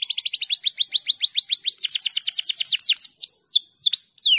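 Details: Fast, tightly spaced canary trill of repeated high down-slurred notes, used as a training recording for other canaries, slowing into wider looping swoops toward the end.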